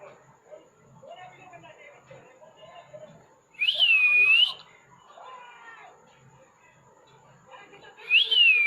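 A pet plum-headed parakeet gives two loud, clear whistles, each rising then dipping, about four seconds apart, with soft chattering murmurs between them.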